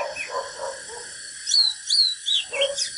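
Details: Oriental magpie-robin, a natural bird giving fighting song: lower warbled notes at first, then a burst of high, sweeping whistled phrases and sharp slurred notes in the second half over a steady high hiss.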